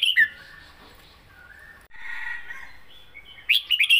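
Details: {'text': 'Red-whiskered bulbul kept as a cage bird, southern Thai song style: a brief whistled note opens, a hissy rushing stretch follows, then a fast run of bright, warbled notes closes.'}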